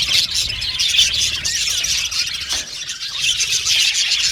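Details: Lively budgie colony chorus in an aviary, loud overlapping chirps and squeaky warbling notes, with a brief dip in volume midway before the chatter resumes.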